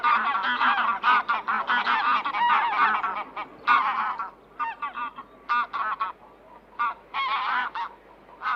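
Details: Geese honking almost continuously at first, overlapping harsh nasal calls, then thinning into separate honks and short runs with brief gaps, a steady low hum beneath.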